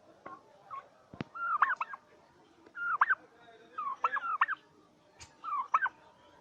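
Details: Turkeys kept on a farm in Bangladesh calling in repeated groups of high, wavering, looping yelps about once a second, with a few sharp knocks heard in between.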